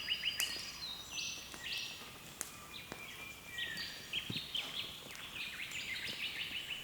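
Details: A chorus of several birds at dawn on Australia's east coast, recorded by camera: bursts of high twittering and whistled trills, occasional sharp clicks, and dense overlapping calls that continue to the end.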